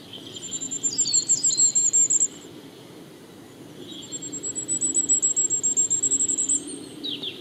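Common firecrest giving very high, thin, rapid notes in accelerating runs that rise slightly in pitch, two bursts of about two seconds each.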